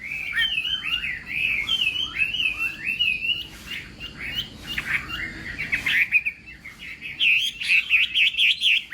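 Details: Chinese hwamei singing in a morning contest, voice-training session: a long run of loud, varied, slurred whistles rising and falling, with a strident trilled flourish near the end, against faint low background noise.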